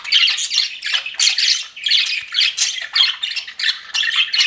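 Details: Several pet budgerigars flirting, with rhythmic bursts of bright, scratchy warbling and chirps, pulsing roughly every half second without a pause.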